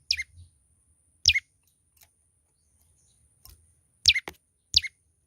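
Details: Young olive-backed tailorbird singing actively: five sharp, high chirps, each sweeping steeply downward, scattered irregularly over about five seconds with silence between, plus a faint low hum.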